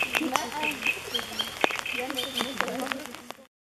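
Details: A great reed warbler sings in the rain at Pouzdřanský pond, Czech Republic, on 26 May 2015: a loud, grating, fast, jerky string of harsh croaks and squeaky notes, with rain pattering.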